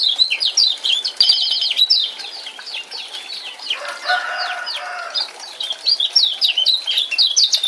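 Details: Fast, piercing chirps of a male Lombok lemon-bellied white-eye, used as a lure to get a silent bird calling, come in quick runs, broken midway by a softer, lower warbling passage before the chirping resumes.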